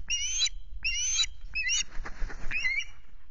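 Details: Osprey at Loch Garten, captured by a nest camera on 26 May: three shrill whistled cries in quick succession, then a burst of rustling and clattering, then a final softer cry, with low rumble throughout.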